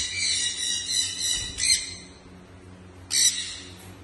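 A sun conure gives loud, harsh, rasping screeches in quick bursts.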